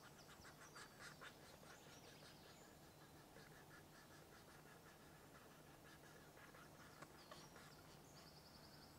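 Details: At a nest site in a Dorset wood, a European green woodpecker utters rapid, scratchy repeated notes, loudest in the opening seconds, then softer; a brief high buzzy trill from another bird appears near the end.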